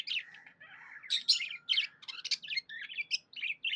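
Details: Happy tame budgerigar giving nonstop rapid warbling, bright chirps and squeaky notes packed tightly together, loudest in sharp bursts through the middle.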